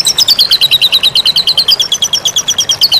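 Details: White-rumped shama song used as training material for songbirds: a steady, rapid series of very high, sharp chips, about three each second, evenly spaced and ringing, with no other sounds.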